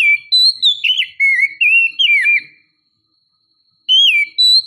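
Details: Oriental magpie-robin female luring the male: sweet whistled notes, rising and falling slurs in about six quick phrases, then over a second of silence before two more whistles.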